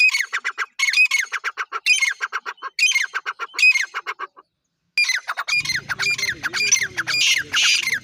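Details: Calls of the black francolin, used to attract francolins fast and rouse them: short phrases of harsh, rasping, stuttered notes repeated about once a second, a brief pause, then denser calling over a low humming background.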